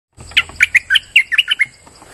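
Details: Streak-eared bulbul song in a chattering run: about nine quick, bubbly notes in under two seconds, each a short warbled slur, with a faint low rumble underneath.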